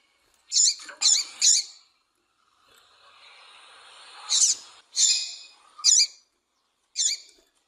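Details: Female double-collared seedeater, a call played to stir males into singing: three quick sharp chips, a soft hissing pause, then four more spaced high, clipped notes.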